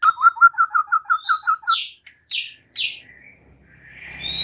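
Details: White-rumped shama song: about ten rapid repeated whistled notes at steady pitch, then several downward-slurred buzzy notes and a soft rising whistle at the end.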